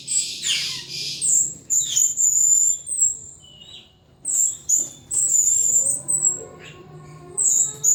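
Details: A pet thrush kept in a cage sings hard, pouring out high, piercing whistled notes and quick trilled bursts in loud runs separated by short quiet gaps, over a faint low hum.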